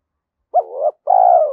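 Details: A single phrase of the spotted dove's challenge call, given in the giọng thổ style to lure wild rivals. A brief hooted note slides into a trembling, slightly falling coo, all low and mellow.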